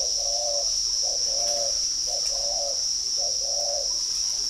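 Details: Spotted Dove, a caged male in the middle cage with a voice prized as 'brass' (âm đồng), at a bird farm in Ba Vì, Hanoi: four repeated low cooing phrases, each a short lead note then a longer mellow coo, under a steady shrill hum.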